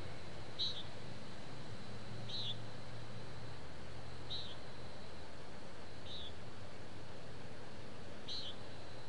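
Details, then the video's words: Nasal buzzy peent calls of a common nighthawk in town, captured with a parabolic microphone. The brief high notes come roughly every two seconds, five in a row, above a constant low-pitched background hum. "Night Hawk Parabolic 592013 In Town SOUND Effect"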